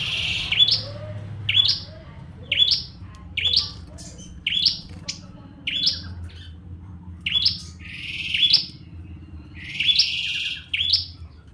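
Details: Repeated Bar-winged prinia song. Short buzzy phrases with a high flick at the end come in a fast series, roughly one per second, about a dozen in all, above faint hum.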